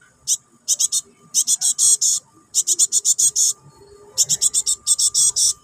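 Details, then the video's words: Java sparrow nestling, locally gelatik batu, calling to its parent: insistent high, rasping chirps delivered in rapid groups of up to seven, separated by brief pauses. "SUARA ANAKAN BURUNG GELATIK BATU NYERECET MEMANGGIL INDUKAN"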